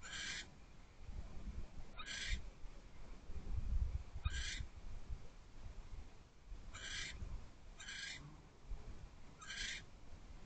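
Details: Barn owl on its perch at a nest box at night, 10:48 pm on January 15, 2024. There are six harsh, hissing, noisy screeches, each about half a second long, at uneven intervals, over a low background rumble.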